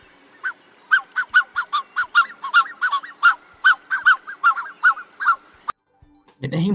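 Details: Black-necked swan at Humedal Petrel wetland, Chile: a quick run of soft, nasal, wheezy honks, about two or three a second, followed by a short burst of laughter and voices.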